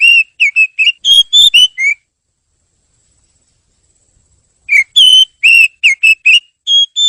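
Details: Kacer, the oriental magpie-robin, singing a training song for other birds: quick runs of pure whistled notes with slurred up and down inflections, two phrases broken by a pause of nearly three seconds, clean background.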